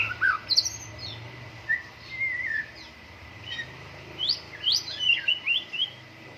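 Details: White-rumped shama in full song during morning dew airing: varied whistled phrases separated by pauses, from a mid-pitched warble to quick high upswept notes and trills, with a low background hum.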